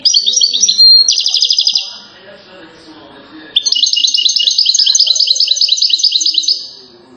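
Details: Rare recording of a European goldfinch from Settat, Morocco, reputed as a champion singer: quick chattering trills, a brief lull with soft background murmur, then a long, even, rippling trill of bright repeated notes.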